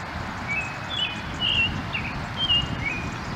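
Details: American bushtits taking a group bath: scattered short, thin, high-pitched chirps, some flat and some slightly slurred, about one per second, over a soft constant background hiss and low rumble.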